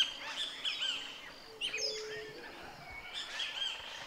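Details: Great Kiskadee singing among spring branches by the Huatulco River, Sierra Sur of Oaxaca, Mexico, the most conspicuous voice in the songbird chorus: repeated, insistent, harsh bright calls in three bursts, with other birds faintly behind.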